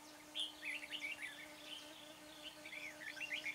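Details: Red-whiskered bulbul used as a decoy in a trap near Chua Huong, Vietnam, luring wild birds: rapid warbled, twittering phrases rising and falling, nearly continuous, with a faint steady low hum behind.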